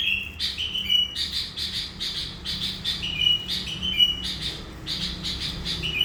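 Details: Sooty-headed bulbul, a kept lure bird credited with trapping hundreds of wild bulbuls, in lively song. Short clear whistles alternate with rasping chattering bursts throughout, loud and close.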